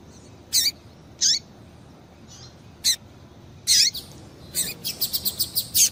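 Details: A female Double-collared seedeater gives calls meant to excite a male: a few separate sharp, descending chirps, then an accelerating string of short, high tweets at the end.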